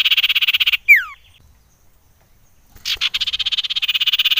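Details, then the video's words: Female common iora calling in the wild, a recording used as a lure to stir other birds: a rapid, buzzy trill, then a single quick downward whistle, nearly two seconds of quiet, and the pulsing trill starting again. "Suara CIPOW / Cipoh"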